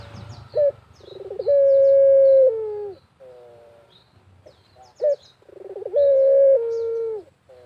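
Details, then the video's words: Barbary dove in a countryside setting, cooing to prompt other doves: two phrases, each a sharp accent, a trilled roll and a sustained flat coo with a falling tail; brief high chirps of other birds. "BURUNG PUTER GACOR SAMPAI MEREM MELEK | PANCINGAN PUTER GACOR"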